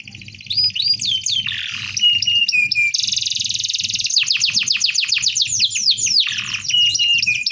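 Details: Canary delivering a dense rolling song for tutoring: rapid buzzy rolls and fast repeated downslurred notes, long sustained trills, over a low rhythmic thumping in the background.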